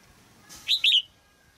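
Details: A caged female red-whiskered bulbul sings to excite a mature male, giving a brief burst of two or three bright, slurred whistles after a soft rustle.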